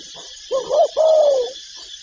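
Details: Spotted dove coo: a short undulating note, then a sustained mellow coo that slowly drops in pitch, with faint soft sounds on either side.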